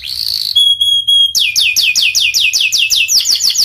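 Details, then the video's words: Panda canary in strong song. A hoarse note and a clear held whistle precede a long, even series of quick downslurred chirps, about four per second. "Kenari panda gacor"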